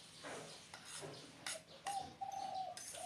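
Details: Spotted dove cooing in a low, even, drawn-out phrase late in the recording, preceded by sharp knocks and rustling handling noises, with a faint high tone briefly in the background.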